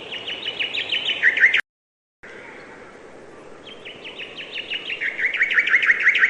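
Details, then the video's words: Bird chirping: fast runs of short high chirps, roughly three per second, interrupted by a sudden silent gap, then resuming and growing louder with a brief trilled flourish; soft steady background hum. "bird chirping sound"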